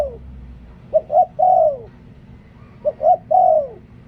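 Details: Spotted dove decoy singing liu tan style: two full phrases of short coo, rising coo and long falling coo, repeated about every two seconds, with a light steady hum behind.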